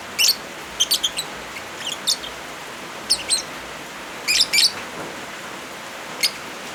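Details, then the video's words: Lovebirds set against rain, used as therapy or a model for silent birds: scattered shrill chirps in small bursts with longer pauses between them, over a constant rushing rain noise. "Suara Original Lovebirds kombinasi suara hujan"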